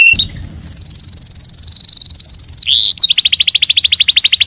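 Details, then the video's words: Canary song with a sustained rapid high rattle-trill lasting about two seconds, a brief buzzy note, then a quick series of sharp repeated chips. "Suara kenari gacor"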